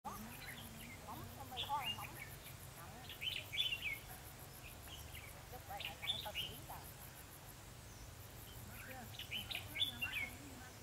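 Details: Red-whiskered bulbul serving as a decoy bird for trapping: short bright warbled phrases sung in bursts a few seconds apart over steady low rural hum and a faint high insect-like buzz.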